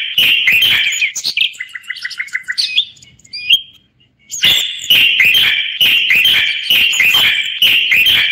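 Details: Common bulbul of the Moroccan type singing: fast chirping, then a quick series of short even notes, a brief lull, and a return of rapid, loud, high chirps.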